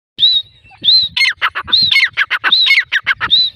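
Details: A pair of grey francolins calling: harsh, squawky, loud notes in fast, uneven bursts, some with rising and falling tones, the two birds' calls overlapping, over about three and a half seconds.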